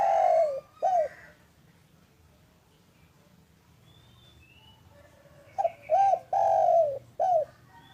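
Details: Spotted dove, local strain, in the afternoon, cooing to lure other doves: the tail of one phrase, a quiet pause with faint distant bird notes, then a full four-note coo with a long third note.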